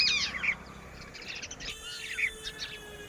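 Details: Titodi chicks, the Red-wattled lapwing, making quick high twittering calls in two loose bursts over a noisy outdoor background.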